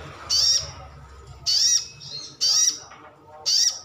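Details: Calling sunbird (sogon or sriganti), a kept bird, used to coax other birds into answering: four shrill, high, slurred notes, roughly one per second, over quiet background.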